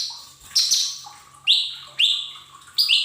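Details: Lure song of a lesser green leafbird, meant to get untrained cage birds singing quickly: bright high whistles, several swooping upward then flattening, delivered in bursts roughly every half second to second, over a low constant hum.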